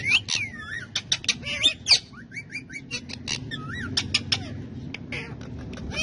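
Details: Talkative pet ringneck parrots, males among a group of friendly birds, chattering indoors: sharp squawks, clipped chirps and curling whistled slurs tumble rapidly over six seconds, some loud accents standing out against a faint low hum.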